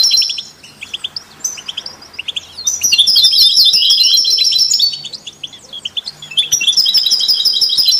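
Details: European goldfinch song, meant as stimulation for other songbirds: scattered thin chirps, then a loud rapid twitter with tinkling trills, a brief lull, and another lively burst.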